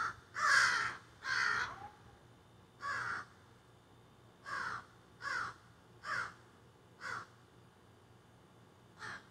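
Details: Several crows squawking from trees behind a garden, phone recording outdoors: two loud, drawn-out raspy caws open, then a run of shorter harsh caws roughly once a second, fading slightly toward the end.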